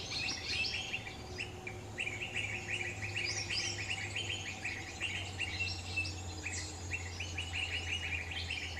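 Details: Wild lesser green leafbird in Central Kalimantan giving a lively run of short, bright chirps and twittering notes, about three a second, over a steady low hum.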